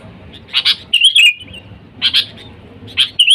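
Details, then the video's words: Sooty-headed bulbul calling to wild birds for luring: a pair of rough chip notes leading into a short fluty, bubbling warble, with two more chip pairs after pauses. "Suara Dasar Burung Kutilang Gacor Memanggil TEMAN LIAR, Suara Bagus untuk pikat Kutilang"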